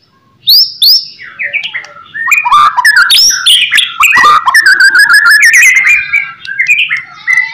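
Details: Murai batu, the white-rumped shama, singing a lure song meant to draw replies from other shamas: two sharp rising whistles, then a loud, varied stream of fast chirps, slurs and warbles with no pauses.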